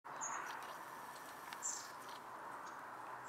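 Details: Long-tailed tit (Aegithalos caudatus) at home in Ljubljana on 14 January 2024, giving two very high, thin, brief notes about a second and a half apart, over a steady background hiss.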